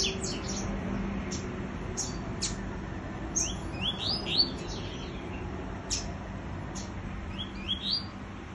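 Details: Double-collared seedeater with an unusual song, disputing with a free-flying bird: bursts of rapid high rising and falling whistled sweeps with sharp clicks between, against constant hissing background noise.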